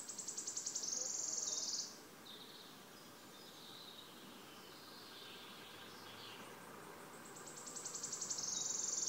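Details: Wood warbler recorded 5 June 2016 in Březinka reserve, Náchod-Běloves, Czechia: a shivering high trill ends, a pause with softer warbling from other birds follows, then accelerating ticks begin another trill.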